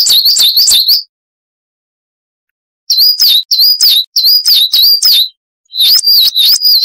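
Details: Periparus ater, the coal tit, in a cage-bird training recording: high-pitched, ringing two-syllable phrases repeated in quick succession, delivered in three separate bouts with brief silences.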